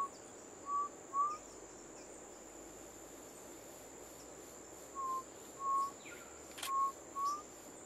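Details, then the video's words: Undulated tinamou calling with soft, pure whistled notes: a pair near the start, then four more spaced about half a second apart, each brief and steady in pitch, over quiet forest hiss. "Undulated Tinamou"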